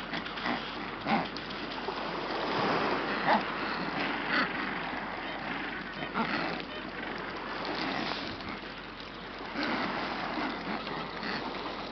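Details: Steady wind and lapping surf along a shoreline, with only brief soft splashes and no clear animal calls.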